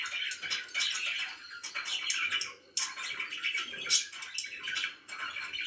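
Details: Morning chirping from pet budgerigars, a dense warbling chatter of high twittering notes in uneven bursts, with a short gap near the middle.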